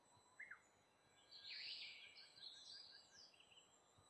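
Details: Brown-eared bulbul visiting to feed on fruit gives a loud, harsh, squealing call in the middle, after a short sharp note, with soft repeated chirps behind.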